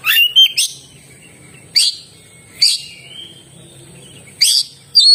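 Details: Oriental magpie-robin producing a short chirped phrase, then spaced sharp buzzy bursts each followed by a faint thin whistle, at intervals of about one second.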